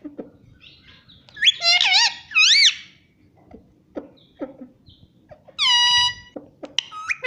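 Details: Pet parrot talking, said to say "mummy" and "papa": clear harmonic, wavering vocal phrases at about 1.5–2.8 seconds, then a steady, ringing tone near six seconds, with scattered soft clicks and squeaks between.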